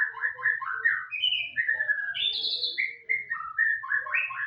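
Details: A white-rumped shama sings rapid, varied whistled phrases, quick doubled notes rising and falling, a higher buzzy slur in the middle, over a faint low hum and soft chatter from another bird in the background.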